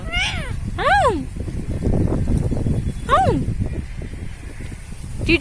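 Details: Pet Indian ringneck (rose-ringed parakeet) indoors gives four nasal, arching vocalizations that rise then slide down, about a second apart at first, over a steady low rumble and murmuring voices.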